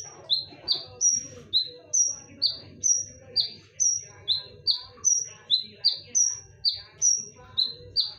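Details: A long konin lure sequence of sharp, loud whistles repeated about twice per second. High flat notes and lower falling notes alternate in a regular back-and-forth pattern, with a faint low hum throughout.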